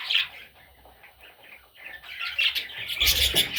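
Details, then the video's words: Parrot chicks giving high, thin chirps, a single one early, then a dense scratchy run in the last second, mixed with low thumps and rustling from handling. "Baby Parrots – Sweet Little Chicks!"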